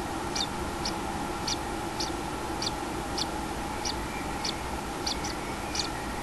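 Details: Common kingfisher nest with chick, 6 July 2016: thin high notes repeat at fairly even intervals of about half a second, softer against a continuous mechanical hum.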